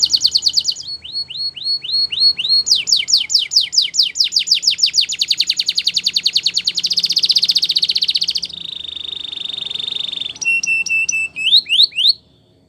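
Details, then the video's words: Belgian canary singing for training: a long varied song of rising slurs, rapid descending notes and a dense fast trill, ending in a sustained tone and a few sharp chips. "Beautiful Singing From The Belgian Canary!!"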